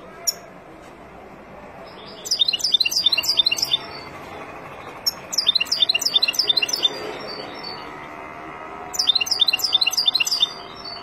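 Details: Wild European goldfinch singing, a recording used to teach young birds: three bursts of rapid, high, tinkling twitters, each lasting about a second and a half, separated by quiet gaps with a low background hum.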